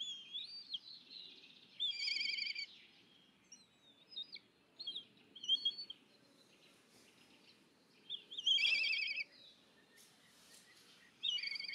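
Black kite begging: high, wavering whistles broken by bursts of shrill, quavering trills every few seconds, over a faint outdoor hush.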